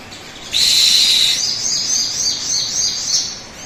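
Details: Sogon bird song, used as a lure to get other birds singing quickly: a loud, high, buzzy sustained note followed by a rapid rattling, undulating series of high notes over a steady hiss.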